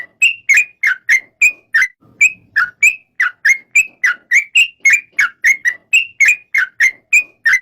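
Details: Steady string of short, clear whistled notes from a yellow-vented bulbul (trucuk), roughly three per second, the notes alternating between rising and falling slurs in a bright, even rhythm.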